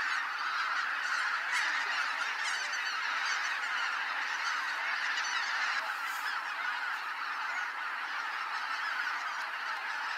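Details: Dawn departure of wild geese from Kabukuri-numa, Japan: thick overlapping honks from a great flock, a constant chattering wall of nasal calls with slight surges, no other clear sounds.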